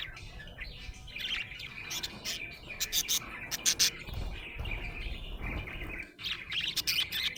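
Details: A happy pet budgie chirps continuously, with high, scratchy warbled notes mixed with sharp clicks and tweets. The chirping is clear over faint low background noise.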